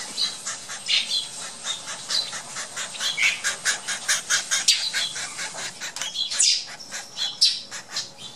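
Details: A baby male flicker chitters in a dense, buzzy, high-pitched stream of rapid rasping bursts, repeated several times a second without pause.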